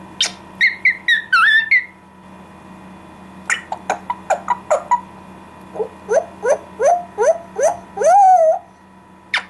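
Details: Talking parrot making a run of sounds: two bursts of short, sharp, bark-like yaps, then a pause and a series of rising, twanging notes ending in a longer wavering whistle, over a steady low hum.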